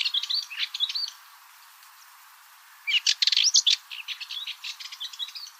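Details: Fainter, more distant-sounding Cyprus Warbler song: a soft twittering phrase, a pause, then a louder burst of harsh chatter trailing into quieter scratchy notes.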